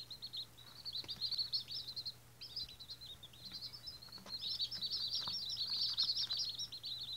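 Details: White Australorp chicks on their first day. Many high, thin peeps overlap in an almost continuous chorus, rising in intensity toward the end, over a steady low hum.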